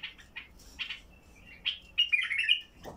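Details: Basra bulbul, heavy-throated, singing to set silent bulbuls off: quick chirps open into a rich, rolling warble that rises and falls before ending.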